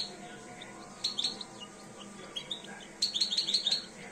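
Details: Two-year-old European goldfinch starting to come into breeding condition, giving two short bursts of high, bright chirping twitters about two seconds apart over a faint steady background hum.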